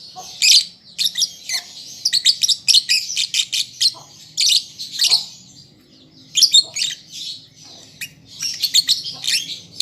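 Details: Juvenile lovebird working on its song: dense, excited chattering of shrill clicks and squeaks in quick clusters, one brief lull midway, then renewed rapid chirping.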